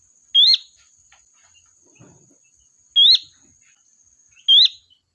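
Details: Sooty-headed bulbul used as a lure to call the flock: three loud rising whistles, two close together at the end, a soft low rustle between them, and a constant faint high whine throughout.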